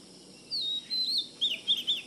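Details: Oriental magpie-robin singing a clear, high whistled phrase: a long sliding note, then a wavering one, and three quick rising-and-falling whistles at the end, over faint background hiss.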